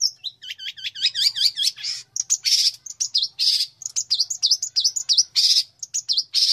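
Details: Long-tailed shrike chirping as a master bird, described as a fighter: rapid flow of high whistled hooks and slurred notes, about a dozen quick identical upslurs early, then harsh buzzy bursts mixed with twitters, barely pausing.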